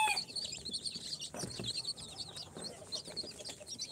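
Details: Mixed brood of four-day-old chicks from an incubator, Sultan, Golden Sebright, Cochin and booted, chirps continuously: thin, high, wavering peeps crowding together, with a few low thuds in the background.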